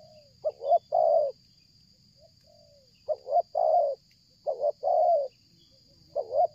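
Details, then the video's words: Spotted dove cooing without pause during bird luring, stuttering style: quick two-part hiccup notes then a drawn-out soft coo, three phrases spaced well apart, with a faint low coo between and a constant high whine behind. "tekukur ini kuat nguku dari jauh mendekat nguku takberhenti,penguku selang gagap"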